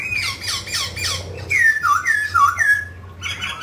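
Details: A mutant grey laughingthrush sings while dancing: rough squawky notes, then several loud clear downslurred whistles, ending with harsh chatter; low hum underneath.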